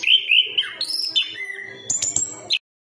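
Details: Chestnut-capped thrush singing a run of clear whistled phrases, high and sliding, with a brief rising flourish near the end before silence.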